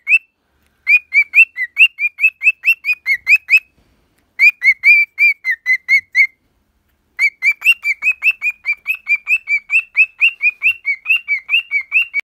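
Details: Pet cockatiel singing: quick runs of short, bright whistled chirps, more than two per second, delivered in three bursts split by brief pauses near four and seven seconds; clean recording with no other sounds.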